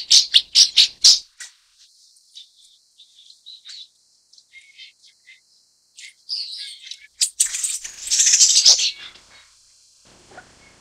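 Broad-tailed paradise whydah giving a quick run of high, dry chips, then thin twittering notes and a scratchy, rattling chatter with bursts of fluttery noise.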